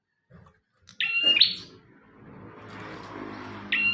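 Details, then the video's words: Bar-winged prinia, recorded as tutor material for songbirds, gives one strong phrase of a level high whistle snapping into a buzzy burst, then begins another at the end, over a murmur of low background noise. "Burung prenjak tamu / prenjak omah gacor"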